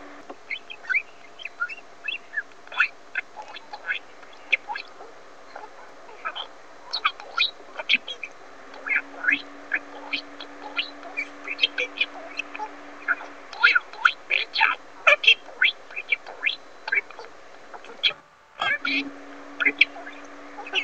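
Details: A male pet-shop budgerigar (Melopsittacus undulatus), kept for 8 months, talks and makes budgie sounds: a rapid stream of clicks, chirps and squeaky speech-like notes over a low hum.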